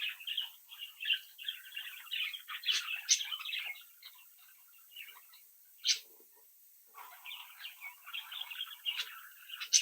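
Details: Young budgerigars from a home-bred clutch, captive and indoors, playing and interacting: busy overlapping chirps and warbling chatter with sharp high clicks, pausing briefly near the middle before the chatter resumes.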